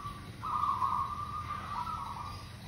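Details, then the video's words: Local zebra dove (perkutut), used as a lure, gives one long, rough, trilled coo of about two seconds at a steady pitch over low background hum. "Perkutut lokal GACOR super pemikat AMPUH"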